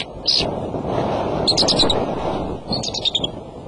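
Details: Male eagle on the nest, February 24, 4:34 pm, gives plaintive cries and trills: short bursts of thin, high, stuttering notes at intervals, partly masked by a steady roar of wind.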